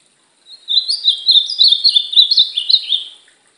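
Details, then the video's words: Brown-plumaged ultramarine grosbeak, a kept bird in training, sings one continuous warbled phrase of rapid, high, slurred notes for nearly three seconds, rising and falling, with no other sounds. "Treino do meu azulão pardo!!!"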